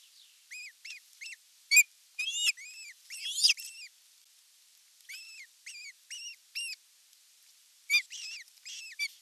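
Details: Osprey calling at its nest at evening feeding time, 30 June 2022: a long run of short, arched, whistled chips, some louder and harsher, delivered in bursts of three to six with brief pauses between.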